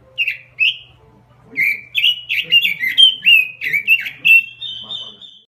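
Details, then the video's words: Robin lure song: two separate notes, then a dense run of sweet warbled phrases that ends in a drawn-out high whistle, over a soft constant low hum. "Suara Pikat Burung Robin Full Gacor"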